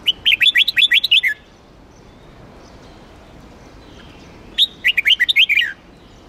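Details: A Huế-type red-whiskered bulbul, trained for singing contests, delivers two rapid phrases of about eight to nine crisp, warbling whistles, each phrase falling at its end, separated by a three-second pause.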